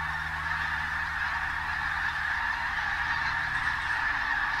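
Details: A dense chorus of pink-footed geese at Martin Mere WWT Reserve, Lancashire, on a bright 8 October 2012, with many geese moving in and out: overlapping high, yelping honks merge into a steady, continuous clamour with no pauses.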